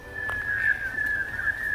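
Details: A White-winged chough in Australia, a group-living forest-floor forager, gives its whistle call: one long, clear, mournful whistle held at nearly steady pitch with a slight waver, over faint background hiss.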